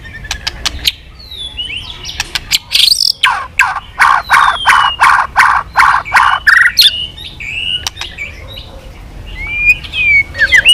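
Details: White-rumped shama in intense, voice-switching song with tail flicking: a long series of loud harsh rasping bursts about two per second, with sharp clicks and thin whistled notes before and after.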